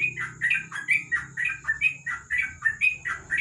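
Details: A yellow-vented bulbul (trucuk) singing ropel at night under a lamp: rapid, evenly loud chirps in quick succession, some with rising slurs, over a faint low hum and a high whine.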